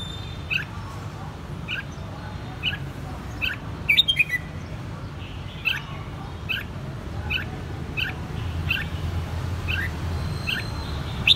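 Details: Kept red-whiskered bulbul in Saigon, Vietnam, raised from the white-cheeked juvenile stage, giving short bright chirps about every half second over a steady low hum, with a few sharper, louder notes near the middle.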